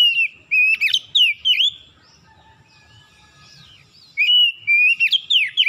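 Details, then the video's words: Oriental magpie-robin (kacer) singing in the morning, a lure recording meant to spark reluctant magpie-robins into full song: loud, clear whistled phrases with sharp rising and falling notes in two bursts around a quiet gap, faint low hum beneath. "PANCINGAN PAGI KACER SUSAH BUNYI LANGSUNG GACOR NGOTOT BONGKAR ISIAN"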